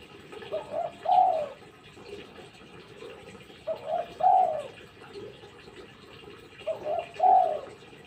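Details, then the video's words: Distant, softer spotted dove coos, three paired phrases spaced a few seconds apart, each a quick note and a longer falling one, partly veiled by broad background noise. "Tekukur lulut gacor"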